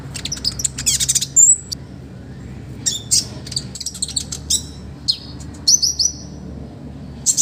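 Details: Olive-backed sunbird, a master recording of varied song for other birds: buzzy, rattling bursts alternate with clear, high, whistled slurs and sharp chips, separated by short silences.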